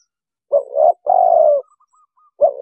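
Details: Trapping lure of a spotted dove: a two-part low coo followed by a long, even, slightly descending coo, then a fresh phrase beginning, close and clean with no background noise.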